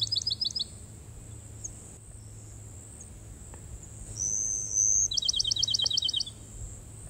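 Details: Bachman's Sparrow singing in midday heat in open pine barrens with sparse palmetto scrub, J.W. Corbett WMA, Florida: long pure high whistle then fast bright trill, over steady high insect hiss and low rumble.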